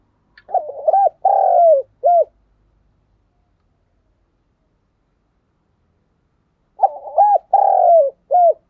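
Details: A spotted dove, used as a decoy calling to lure wild doves, gives two phrases of low, mellow coos, each ending in a clipped final note.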